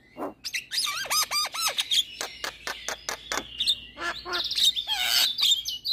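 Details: A lure for mute, stressed or moulting caged mynas: a Javan myna gives rising whistled trills, then rapid sharp clicks and chirps, finishing with a loud buzzy, scratchy burst of chatter.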